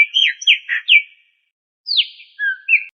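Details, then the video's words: A cockatiel whistles while playing: a few bright, downward-slurred chirps, a pause, then a descending whistle and a soft, level tone with a final short chirp. "Cocktail bird playing and whistling Sound"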